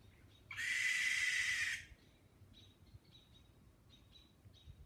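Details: Great horned owl screeching at night in a rural woodland home to several of these owls: a single harsh, rasping, hiss-like screech of over a second, then faint, repeated short high chirps in the quiet background.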